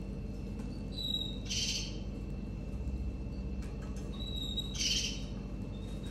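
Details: Raza Española canary female feeding her six-day-old chicks; two short, harsh hissing bursts of chick begging rise at about 1.6 and 4.9 seconds over a steady low hum and faint thin tones.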